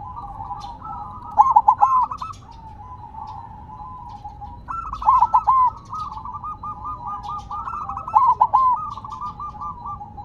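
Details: Silver-coloured zebra dove placed on the ground yet singing hard: three bursts of rapid stammered coo notes, each running into a long rolling purr, while fainter doves coo steadily in the background.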